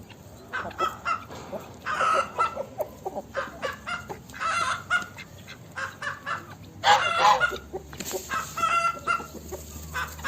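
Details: Chicken in a farmyard: loud, nasal clucks and drawn-out cackling notes come in irregular bursts every second or two, with quieter clucking between them and a low steady background hum.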